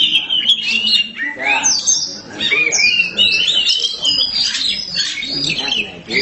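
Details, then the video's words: Caged black Oriental magpie-robin (kacer hitam) singing vigorously: a rapid run of varied whistled and slurred notes, with rising sweeps and quick trills. People talk quietly in the background. "Kacer hitam gak pernah malu untuk gacor"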